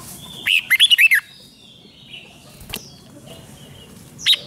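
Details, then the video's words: Caged Red-whiskered Bulbul, 'rik' song played to stir up listening birds: a rapid phrase of five or six bright, falling warbled notes, then a sharp wing flutter or knock, faint chirps, and one short note at the end. "เสียงนกกรงหัวจุก ร้อง ริก เปิดให้นกฟัง ยั่วให้นกคึกจัด"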